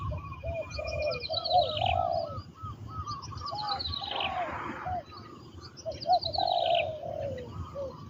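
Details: Spotted dove trained as a ground-luring decoy in Thailand, with soft rolling coos running through the recording, overlapped by several other birds giving high, quick, falling twitters and a brief rustling noise midway.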